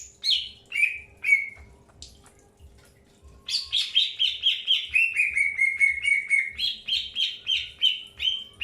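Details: Greater green leafbird in the early stage of pairing: a few sharp descending whistles, a short silence, then a long lively run of repeated falling whistled notes, about two per second, with faint low thumps beneath.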